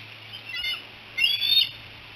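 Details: Bald eagles at Decorah on 07-02-2018, around a young eagle's flight from the fishing perch to the Y branch: a faint thin whistle, then a louder high, slightly rising chirping whistle lasting half a second.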